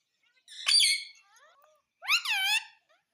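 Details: Rose-ringed parakeet talking, repeating "mummy": a raspy, buzzy syllable, soft thin notes, then a clear, strident two-part phrase that dips and levels off.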